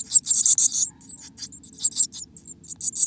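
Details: Inside a black-capped chickadee nest in America, a dense run of shrill, very high scratchy notes opens, then gives way to scattered short squeaky chips against a faint low hum.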